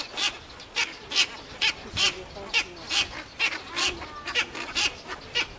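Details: Cattle egrets at a breeding colony at Inkamana near Vryheid, 12 November 2007, give harsh, raspy croaks, a dozen or so short bursts in quick, uneven succession from many birds at once.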